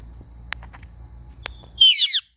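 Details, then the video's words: Indian ringneck parrots at play, phone recording: after a few soft clicks and taps comes a brief, harsh, buzzy screech near the end. "Indian Ringneck Parrots playing"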